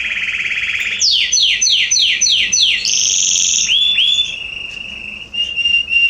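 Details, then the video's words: Garden canaries, September 2020: a buzzy rolled trill gives way to about six evenly spaced downward-sweeping whistles, then a high trill and a thin, drawn-out whistled tone. "Canaries singing in my garden September 2020"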